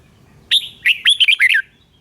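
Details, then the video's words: One short phrase from a red-whiskered bulbul, for coaching caged birds or trapping: a sharp opening note, then five or six quick, liquid, up-and-down whistles within about a second, in a quiet setting. "Siêu tiếng chim Chào mào hay"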